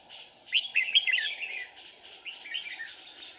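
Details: Red-whiskered bulbul used as a decoy during bird trapping on 4 March 2019, singing to lure wild bulbuls: quick warbled, chattering phrases in two bursts, the first louder, over a steady high insect hum.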